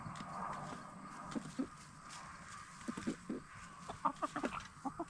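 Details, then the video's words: Free-range Black Star and Bielefelder hens in a movable chicken tractor at nightfall; quiet low clucks, then a quick string of short clucks toward the end over a humming background. "Relaxing Hen Sounds - Chickens In Chicken Tractor"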